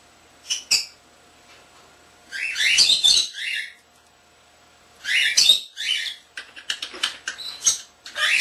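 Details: Indoor pet common starling imitating words, whistles and other pet birds; two clicks, then long raspy chattering phrases separated by silence, ending in rapid clicking and squeaky notes.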